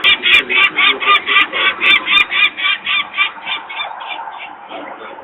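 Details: Peregrine falcon parent screaming in alarm at a nest site in Włocławek, Poland, on 23 May 2022 around 14:51, while workers make noise nearby and young birds stay on the ledge. Harsh cacking notes come about four per second, then gradually fade away.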